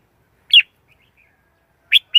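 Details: Red-whiskered bulbul giving a short warbled note, then after a pause a quick two-note phrase, bright and rising-falling.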